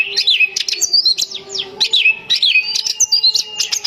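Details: Oriental magpie-robin female kept at home, singing to entice males: quick, jerky series of bright whistles, downward-slurred chirps and clipped notes, repeated in tight bursts with brief gaps, a soft low hum beneath.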